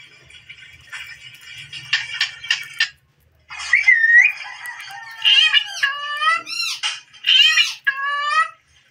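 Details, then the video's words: Green desi parrot playing before a mirror indoors, chattering then giving a run of loud squawks and rising whistled notes in quick bursts. "desi parrot sound"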